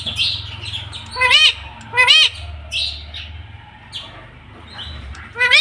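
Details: Pet ring-necked parrot, the talking tota, giving short arched nasal syllables in a loose series, roughly one per second, with squeaky fragments and a low hum in the background.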